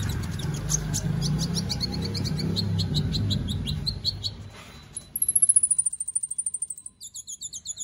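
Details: Competition white-rumped shama kept in Palu, Central Sulawesi, Indonesia. Dense repeated chips over loud background noise, then a clean, rapid high trill that slowly falls in pitch, ending with sharp notes.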